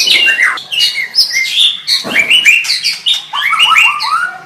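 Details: White-rumped shama song: energetic phrases of stepped, rising whistled notes repeated in quick series, mixed with sharper chatters and a few buzzy sounds.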